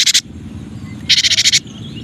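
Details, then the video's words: Cinereous tit (gelatik wingko) training recording: a brief rasp followed by a longer rattling buzz of about eight quick harsh pulses, over a constant low noise floor. "Suara Masteran Burung Gelatik Batu Atau Gelatik Wingko 9 Variasi"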